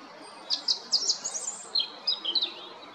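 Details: European robin at Jarun, Zagreb, Croatia, 13 April 2022, delivering a phrase of sharp, very high, sparkling notes that rise and fall quickly, with brief pauses between the clusters.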